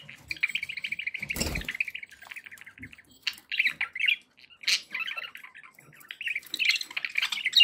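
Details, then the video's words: Pet budgerigars giving a long rolling warble of scratchy chirps, followed by sharper squawks and clicks, with a soft thump early on. "1 hour of budgie sounds"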